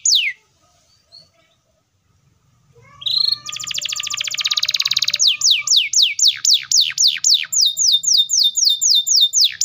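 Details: After a near-silent start, a canary launches a long rapid buzzy roll of close-packed pulses, then shifts into steady descending whistled sweeps repeated about four per second.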